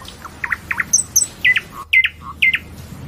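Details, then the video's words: Nightingale singing clear phrases of paired, looping whistled notes repeated about every half second, mixed with thin, very high ticks and short low notes, with little background noise. "Nightingale's Song"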